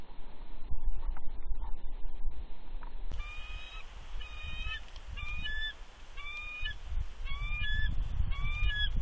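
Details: Female bald eagle incubating eggs on a Big Bear nest, 3 February 2020, giving warning calls at an intruding adult eagle. After three seconds of low rumbling wind, a run of short, clear, whistled notes with ringing overtones repeats in quick groups.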